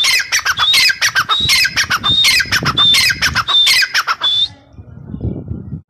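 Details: Grey francolin, known locally as teetar or dakhni teetar, calling loudly: harsh, broadband notes alternate with a clear, high whistle that rises slightly. The phrase repeats rapidly for about four seconds, then stops, leaving faint low background rumble.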